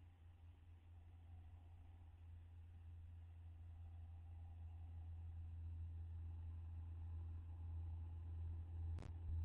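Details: A low steady hum continues throughout inside an owl nest box, ending in one sharp click, with no animal voices present.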